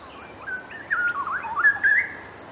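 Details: Straw-headed bulbul (cucak rowo) delivering a vigorous bubbling warble, with twisting whistled notes that climb and dip, and louder bursts in the second half. A faint steady hiss runs throughout.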